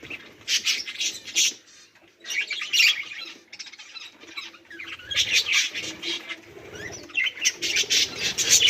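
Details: Pet budgerigars recorded on 18 July 2023 give rapid scratchy chatter in clustered bursts separated by quieter gaps, harsh squawks and buzzy trills overlapping, with some soft rustling underneath.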